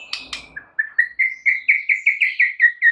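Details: White-rumped shama singing as a tutor recording for other shamas: two sharp clicks, then a steady run of about a dozen clear, slightly upslurred whistled notes, evenly spaced several per second.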